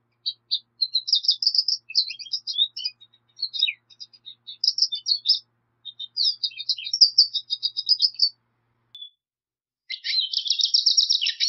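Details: Black siskin song: a long, high twittering run of rapid chirps and short buzzy trills, broken by brief pauses, with a denser, loud buzzy burst near the end. The recording is clean, with no other sounds.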